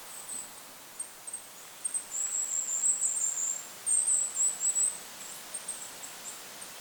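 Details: Goldcrest calling in a forest over a lake: very high, thin, sibilant notes in short bursts, densest in the middle of the recording, over steady wind hiss.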